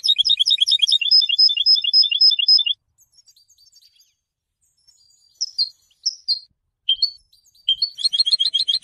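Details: Goldfinch song meant to teach other goldfinches: quick high twitter with a repeated clear tinkling note, a pause with faint sounds, scattered whistled calls, then another burst of dense rapid twittering.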